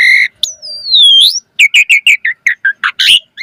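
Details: Asian pied starling in active song used to coax replies from other birds: a long descending whistle sliding upward at the end, then a quick run of about ten short harsh chattering notes.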